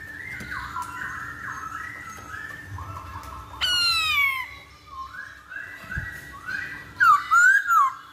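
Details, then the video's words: Masked laughingthrush song used as a lure to prompt birds to sing: a run of repeated, evenly paced two-part whistled notes, broken by a harsh, buzzy squawk, then ending with loud, rough, rising and falling squawking notes. "Pancingan Poksay Hongkong Agar Cepet Bunyi"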